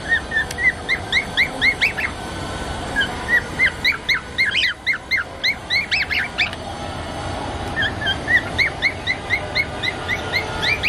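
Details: Four pet cockatiels playing give quick, bright chirping calls, repeated in fast bursts with brief pauses.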